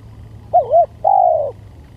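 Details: Spotted dove (tekukur) heard as a lure sound, giving two quick bouncing coos and then a single prolonged, steady coo, over a faint low rumble.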